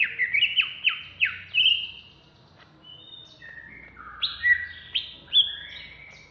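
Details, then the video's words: Contest-ready greater green leafbird of Alas Purwo stock, caged in Jatiasih, Bekasi, in an excited outburst: quick descending slurred whistles in a tumbling series, a short lull, then more sharp downward swoops and flat whistled notes. "Cucak Hijau Alas Purwo Ngamuk"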